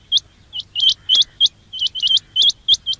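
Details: Quail calls recorded to lure quails for trapping: bright, high chirps rising sharply, uttered singly and in quick doubles or triples, over a low buzzing hum.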